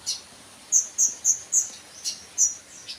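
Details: Series of clear, piercing high sunbird notes, each a short whistled chip repeated about every quarter second, with a few fainter notes between.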